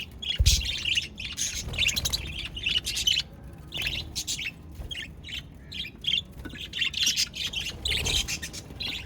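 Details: Lively budgerigar chatter from 22 January 2024, with steady high warbling and chirping throughout and a couple of low thumps or knocks in the background.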